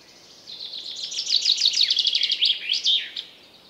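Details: A common chaffinch in woodland sings a full strophe of rapid high notes that descend in groups and end in a terminal twirl, with light ambient forest noise.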